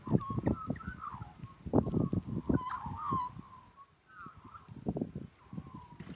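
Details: Singing Australian magpie with a melodious call: loud gurgling, yodelling warbles that slide up and down, in two bursts split by a short pause, with heavy low knocking and handling noise.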